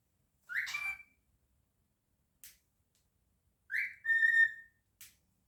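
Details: Male pet cockatiel indoors, whistling and singing: two rising whistled phrases, each a bright upward sweep followed by a held steady tone, separated by brief soft clicks in a quiet room.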